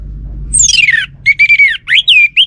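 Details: Orange-headed thrush lure song to prompt a male's answer: a sweeping descending whistle, then a level whistled note and several quick upward-curving slurs, all in one loud two-second phrase over low background rumble.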